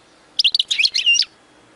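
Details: Short phrase from a goldfinch song for teaching young birds, a burst of tinkling, liquid twitters just under a second long.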